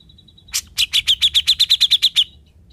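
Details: Grey-cheeked bulbul (cucak jenggot), once mute and now vocal, delivering a besetan of a dozen crisp, high, clipped notes repeated rapidly and evenly after a thin opening whistle and a short harsh note.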